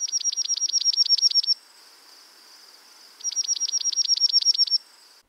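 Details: Dark-eyed Junco spring song in a Central/Eastern US backyard: two musical trills, each about a second and a half of rapid, evenly spaced high notes with a slight flutter, like a Chipping Sparrow, separated by a short pause.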